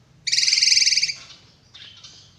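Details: A single harsh drongo buzz, strongly pulsed like a rapid rattle and close to a second long. A softer, hoarse trailing note follows.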